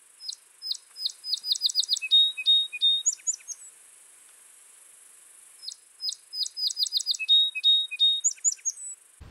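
Song Sparrow singing twice: a few sharp opening notes, a quick run of repeated chips, then a buzzy trill and jumbled ending, each song about three seconds.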